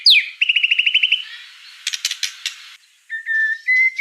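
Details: White-rumped shama singing energetically: a sharp falling whistle, then a rapid even trill of about a dozen notes, a burst of harsh buzzy notes, and finally level clear whistles at steady pitch. No other sounds.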